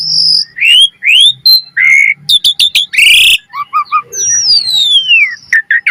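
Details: Asian pied starling song offered as a lure for training: rising whistles, a short buzzy rasp, three low even chirps, then a long descending whistle and final quick notes.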